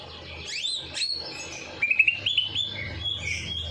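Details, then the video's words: Bird singing after its night bath, intended to spur lazy birds to sing: a few high falling whistles, then a burst of quick, bright chirped notes and softer trailing whistles. "Perangsang Burung Malas Bunyi || Habis Mandi Malam Langsung Cor Dor"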